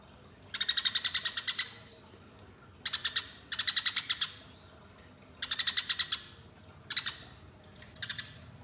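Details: Lure recording of a Eurasian tree sparrow's fighting call: five bursts of quick, grating chirps, each about a second long, some ending in a thin descending whistle-like note, with quiet between bursts.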